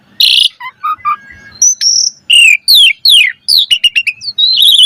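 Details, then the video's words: Varied song of an Asian pied starling, recorded for training other birds: a harsh burst, low flat whistles, a steady high whistle, then several falling slurred notes and quick chirps. "Suara Jalak Suren Gacor Full Isian Variasi"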